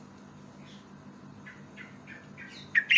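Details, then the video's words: A Yellow-vented Bulbul lure call gives a run of soft, quick chirping notes, then ends in loud, harsh, bubbling phrases, with a low electrical hum underneath. "PANCINGAN BURUNG TRUCUK PALING YAHOOD"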